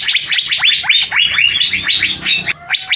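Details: Greater green leafbird pouring out a long squawk: steady stream of rapid swooping, down-curving whistled notes, several per second, ending after a brief pause.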